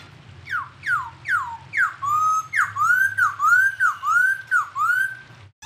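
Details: Clear recording of an unidentified songbird meant as a tutor for caged birds: sharp falling whistles, then rising-and-falling looped notes about twice a second, over low background hum.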